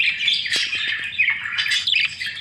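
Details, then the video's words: Several budgies chattering in a busy stream of squeaks, trills and scratchy warbles, with a few sharp clicks near the middle and a louder burst of chirps toward the end. "Budgie sound"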